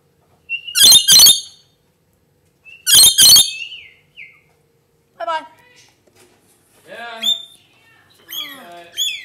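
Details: Pet lorikeet letting out two harsh, buzzy screeches about two seconds apart, followed by softer, varied chattering, squeaky notes that sound almost speech-like.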